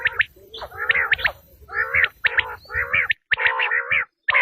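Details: Quail call used by hunters as a tested lure: sharp high whistled notes alternating with buzzy, wavering, harmonic trills, in bursts roughly every half second with short silent gaps.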